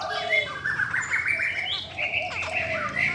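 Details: Female Chinese hwamei of the cow-skin type, its voice said to strongly excite males: clear whistled notes near mid-high pitch with sliding slurs over steady chattering, low background hum throughout.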